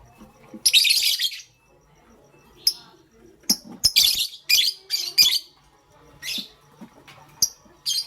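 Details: Morning sounds of a pet pastel gray lovebird: a long scratchy chirping burst, a pause, then a quick series of sharp high chirps and squeaks.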